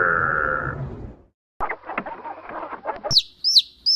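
A chick gives high, thin peeps that slide downward, three in quick succession about half a second apart, after a stretch of other rougher animal sounds.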